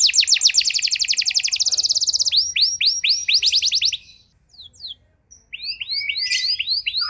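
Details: Lure canary song (pancingan) for canaries lacking condition: very rapid high trill, then slower upswept notes, a near-silent pause, and a last burst of short chirps and whistles.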